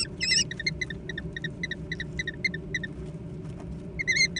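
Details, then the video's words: Young American kestrels contesting food make rapid, thin, high chipping notes in quick succession, with a few louder squealed cries at the start and end, over a low hum. "小隼的搶食大戰 (American Kestrel)"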